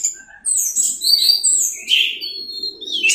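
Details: Orange-headed thrush masteran recording, 'teler' style: long, drawn-out high whistles sliding down and up, then a strong descending slurred note, loud and clear against a quiet background with a faint low hum.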